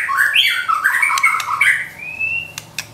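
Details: White-rumped shama song meant to provoke a pet shama and train its singing: a continuous run of warbled, slurred whistles and harsh notes, ending in a long rising whistle and a few sharp clicks.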